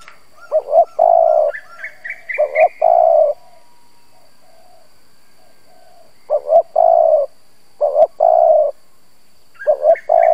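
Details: Lure spotted dove cooing to draw in wild doves. Five phrases, each two short low notes then a long throaty coo, with gaps of a second to three. Bright rising chirp series from other birds sound near the first and last phrases.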